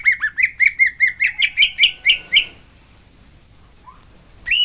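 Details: Greater green leafbird, a kept songbird, in an energetic lure song: a rapid run of about eleven loud, rich whistled notes near one pitch, rising into harsher buzzy strokes, then a pause, a soft upslurred note and a fresh phrase starting.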